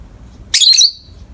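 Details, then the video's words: Pet peach-faced lovebird in morning light giving a single harsh, buzzy squawk lasting about a third of a second, with a brief tonal tail, in a quiet indoor setting. "美しいさえずり 朝の光を浴びる コザクラインコ"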